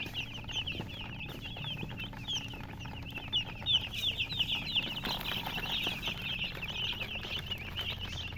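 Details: Baby chickens chirping together, a constant stream of sharp, high peeps layered over each other, with scattered soft clicks and rustling underneath.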